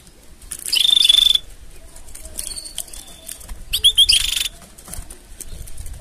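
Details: Canary mating song for training other canaries: a loud steady whistled note held for about half a second, then softer buzzy high phrases and a burst of rapid high trilled notes near four seconds, separated by quiet gaps with faint background hiss.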